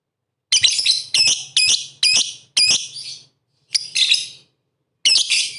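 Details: Bait recording of a lovebird in full song, used to rile rival lovebirds: seven sharp, shrill, squeaky chattering bursts, each about half a second, separated by brief silences.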